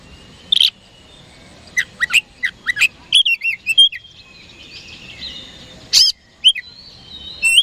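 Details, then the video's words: Oriental magpie-robin song played to provoke rival birds into answering: scattered sharp chirps and short whistles, then sweet sliding whistled phrases and a loud burst near six seconds, with a faint whistled note in the background. "PANCINGAN KACER HARIAN 🔥 Super GACOR Ampuh Bikin Lawan Cepat Respon"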